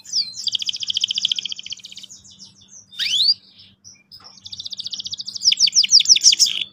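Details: Singing canary, played to coax juveniles into sharp rolling song: a long dense double-pitched trill, a rising sweep, a pause, then another rapid trill that speeds into loud repeated upswept notes.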